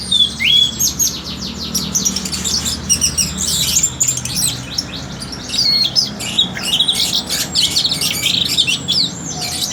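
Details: Orange-headed thrush, noted for its very sweet voice, pouring out a dense, fast stream of high chattering and whistled notes with almost no pauses, busy and varied throughout, over a steady low hum.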